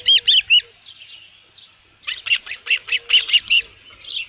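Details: On a ranch nest at midday, 27 June 2018, an osprey holding a headless fish calls in loud, ringing high chirps: a short opening burst, a pause of soft notes, then a fast run of about ten.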